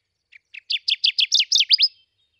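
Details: Kirtland's warbler, a rare near-threatened species, recorded at Stephan Bridge Road, Crawford County, Michigan: a loud song of about nine rapid, emphatic downslurred notes, starting with two soft short chips and building in strength, ending abruptly.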